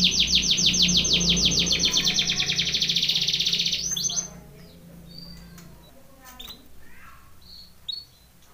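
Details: A canary sings its training song, opening with four seconds of fast, loud rolling trill. Scattered quieter chirps and short whistled notes follow, with a soft low hum in the background.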